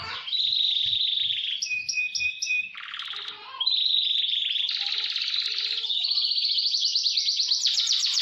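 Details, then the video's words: Canary master song with speed rolls for training: a level trill, short repeated whistled notes, a harsh low rattle, then long fast trills rising in pitch toward the end; faint low thumps underneath at the start. "Masteran KENARI GACOR Roll SPEED"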